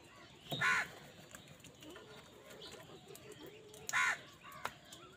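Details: Crows fighting with wild birds for food, calling in anger; two hoarse, grating caws roughly three seconds apart, with quiet chatter and faint background sounds between them.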